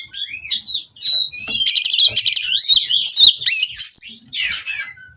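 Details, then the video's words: Oriental magpie-robin kept at a breeding farm in Kroya, Indonesia, singing during mating to stir rival birds: bright, varied whistles, quick slurred upsweeps and buzzy chatter, delivered rapidly after a short silent gap. "Burung Kacer Kawin Merangsang Lawan Untuk Bunyi dan Lebih Gacor"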